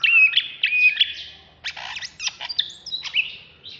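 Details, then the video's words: Agitated singing from a caged, contest-ready greater green leafbird of Alas Purwo stock, Bekasi: clear whistles at first, then harsher buzzy, broadband chirps and bursts in an uneven rhythm. "Cucak Hijau Alas Purwo Ngamuk"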